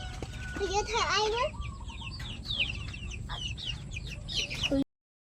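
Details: Pet chickens, including new flock members, kept at home: a loud wavering harmonic call early on, followed by many short high chirps repeated rapidly, with people talking in the background throughout.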